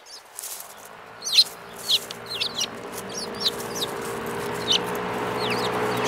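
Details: Spirited sparrows uttering short, sharply falling chirps at uneven intervals, roughly two per second at the busiest, over a rising low background hum.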